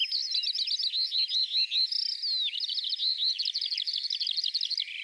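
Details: Eurasian skylark singing a continuous, rapid stream of high warbled and trilled notes with fast buzzy runs and chirps, barely pausing across the whole stretch.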